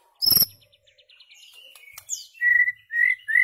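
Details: Song of a white-rumped shama meant for tutoring goldfinches and hybrids; a sharp high note, a soft rapid ticking series, a downward slur, then three loud clear whistles.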